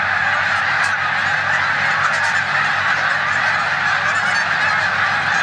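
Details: Snow geese flock resting in a corn field on Olmstead Road, Savannah, New York, 14 March 2020, before migrating to the Canadian tundra, with resident Canada geese nearby; a dense, unbroken chorus of overlapping high, nasal honks.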